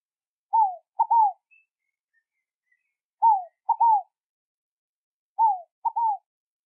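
Scaled dove repeating a soft three-part cooing phrase, a falling note then a short and a longer note, about every two and a half seconds in quiet surroundings.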